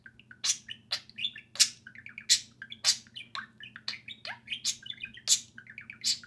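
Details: Two social pet budgerigars playing and talking during outside time: dense, rapid chatter of sharp high chirps and warbled notes, many overlapping bursts each second, with a faint steady low hum indoors.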